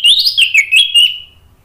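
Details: An orange-headed thrush sings in loud ngeplong style, giving one short run of quick, bright whistled notes that wavers up and down, then fades into a slightly falling tail.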